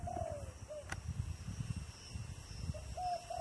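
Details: A dove of the "thổ đồng" voice type at a home, giving soft, hollow coos: a drawn-out, slightly falling note and a short one, then another pair after a pause, over low wind rumble.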